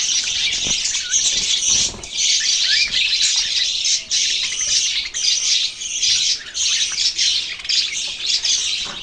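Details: Budgerigars chirping continuously, a dense, busy wash of high warbling and twittering notes from several birds with no pauses, with faint noise underneath.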